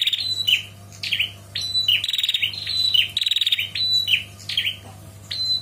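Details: A female Bar-winged Prinia calling to a male gives sharp, high notes about twice a second, broken by long, dry, rattling trills, over a faint low hum.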